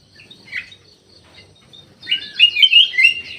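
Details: Ruby-throated bulbul kept in an aviary in Indonesia: a faint chirp, then a burst of quick, bright warbled notes rising and falling, dense and lively over the last second and a half.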